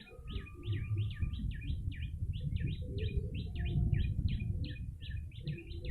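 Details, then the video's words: Yellow-bellied prinia calling to lure other birds, a lively bird: rapid repeated sharp chirps, each a quick up-and-down note, running continuously, with a faint steady whistle early on and heavy low background rumble. "Pikat burung prenjak lumut"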